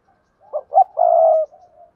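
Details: One spotted dove coo phrase in the 'gáy gọi' and 'gáy thúc gù' manner: two short low notes lead into a long, steady, hollow coo that fades into a soft murmur.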